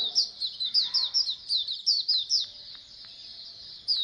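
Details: Oriental white-eyes chattering as a colony to spur other birds into song. Rapid, high, descending twitters run densely for over two seconds, then thin out, with a few faint clicks in the quieter stretch before a final burst.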